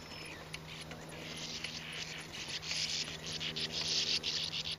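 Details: Bank swallows giving dry, buzzy chattering calls in rapid harsh bursts, about three a second, growing denser and louder toward the end, over a low steady hum.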